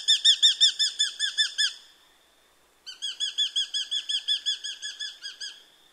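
Eurasian hobby giving two quick bursts of sharp, clear 'kew-kew-kew' notes, about four or five a second, separated by a short pause. No other sounds.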